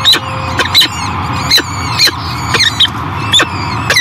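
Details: Peregrine falcons at a Great Spirit Bluff nest in 2023 as the female feeds her new hatchlings: sharp, loud harsh calls about every half second, mixed with thin high peeps and a steady low hum.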